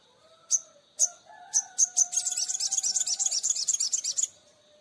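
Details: Oriental magpie-robin in vigorous song: a few spaced sharp high notes over a sustained low whistle, then a fast run of rapid, scratchy high notes lasting nearly two seconds.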